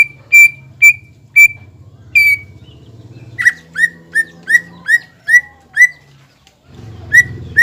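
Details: Greater green leafbird, a singing bird used to provoke rival leafbirds into a highly aroused, aggressive state. Clear whistled notes repeat about every half second, first steady and then shifting into lower down-slurred whistles, over a faint low hum.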